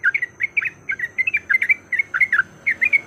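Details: Yellow-vented bulbul giving aggressive fighting song as a lure: short clusters of two or three liquid chirps, with brief gaps between clusters.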